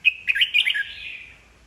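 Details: Red-whiskered bulbul, an old wild-caught bird, singing to provoke rival birds into competitive song; one bright burst of quick warbled notes followed by a fading slurred whistle.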